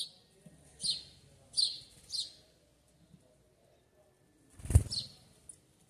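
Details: Sayaca tanager in a backyard uttering three high, thin squeaky notes in quick succession, followed after a pause by a loud dull thump and one more faint high note.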